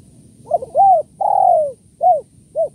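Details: Spotted dove lure call in kuk 1-2 style for trapping doves: a soft stuttered opening note, a rounded coo, a long drawn-out falling coo, then two short clipped coos in steady sequence.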